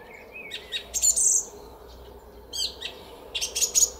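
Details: Song thrush singing in a garden at Szalkszentmárton at 06:15 on a spring morning, 10 April 2021: short high whistled and chirping phrases with brief pauses, including a sustained bright high note near the start.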